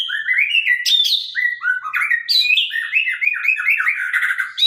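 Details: White-rumped shama of the Sabang line, a sharp-voiced gacor bird in captivity, pouring out a continuous run of quick looping whistled notes, repeated upslurs and downslurs forming a lively, rolling chattering song without pause.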